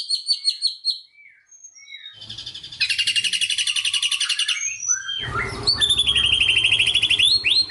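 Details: Magpie-robin song in the 'tembakan sejalur' style: high chips and whistled slurs, then a dense, rapid trill of stacked high notes, ending in loud rising and falling whistles over a low rumble.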